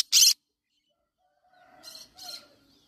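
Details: Yellow-sided conure parrot giving a single harsh, broadband screech, followed by a quiet pause and then two softer, raspy chatter notes.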